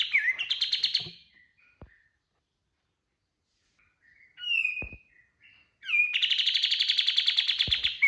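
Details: Kapas tembak cotton bird giving a lure song for training birds: a short buzzy trill, silence, a few thin whistled slurs, then a long, fast, high tembakan trill of rapidly repeated notes.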